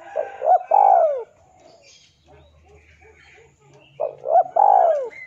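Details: Male spotted dove calling a rival, used as a lure: two three-part cooing phrases about three seconds apart, each a short low coo, a rising hiccup note, then a long drawn falling coo, with faint background noise between.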